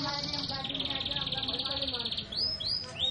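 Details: Canary singing a fast, dense high trill held steady for about two seconds, then three quick upward-sweeping whistled notes; a person talks softly in the background.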